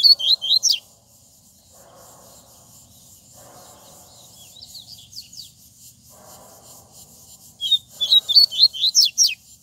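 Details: Double-collared seedeater (Sporophila caerulescens) in strong song: rapid, high twittering phrases of sharp notes, one burst at the start and a longer one at the end, with a quiet pause between.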